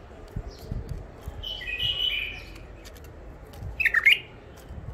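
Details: Newly isolated wild bulbuls taken at the Mandali crossing give a mellow whistled phrase, then after a short gap a sharp, quick-rising twittered burst; soft knocks and room hum fill the gaps.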